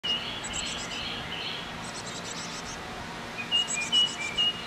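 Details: Chickadees at a nest box feeding young shortly before fledging; clear whistled notes near the top of the range, some in short rising-falling pairs, with buzzy clustered chips in between, over steady background hiss.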